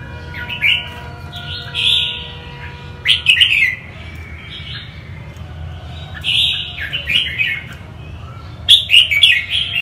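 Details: A northern-type red-whiskered bulbul sings bright, fluty warbled phrases in short bursts every few seconds, with a steady low hum and faint tones behind.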